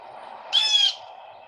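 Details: Blue jay giving a single harsh, nasal, rasping call of about half a second over a steady low hiss, recorded March 12–13, 2021, with two or three jays thought to be in nearby bushes.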